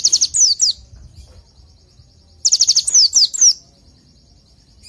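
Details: Oriental white-eye song used as a tutor recording for training white-eyes: two short bursts of rapid, very high slurred notes, several sliding downward, separated by a quiet gap with a faint high trill.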